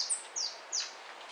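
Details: European goldfinch at a 2013 singing competition, giving three sharp high descending notes spaced about a third of a second apart, with faint background hiss.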